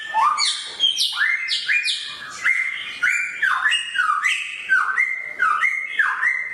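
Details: Samyong bird singing sharply, its loud, whistled, rising-then-flat notes repeated steadily about twice a second throughout.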